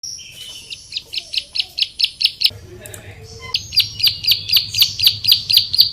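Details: Bar-winged prinia singing a fast series of sharp, high chirped notes, about four per second, with a brief pause midway filled by a low hum before the rapid chirping resumes.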